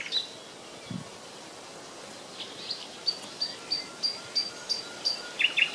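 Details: Common nightingale (Luscinia megarhynchos), one of three singing, April 30, 2020: a quick series of about eight high, piercing notes, three per second, ending in a brief rattling flourish, over soft hiss.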